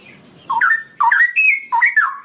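A straw-headed bulbul pours out loud, rich, bubbling phrases that swoop up and down in quick succession, four rolling bursts in about two seconds.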